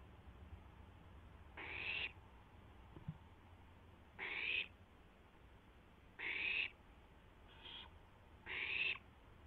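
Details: Barn owl owlet, seen on a live camera just after midnight on April 12, 2016, testing its wings. It gives five rasping, noisy hisses at irregular intervals of roughly one to two seconds, with a low background hum.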